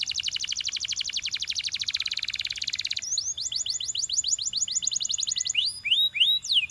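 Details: Belgian canary delivering a long, even roll of rapid notes, then a run of rising-then-falling whistles about three per second, ending in a few wide, looping slurs.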